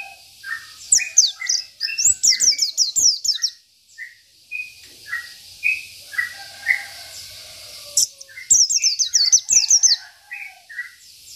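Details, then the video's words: Local Oriental white-eye singing in the 'isian' style, a song filled with other birds' phrases, recorded as tutor audio for training other birds; rapid bursts of very high, descending chirps alternate with lower, short whistled notes, with a brief quiet gap midway. "Pleci Lokal || Pleci Isian"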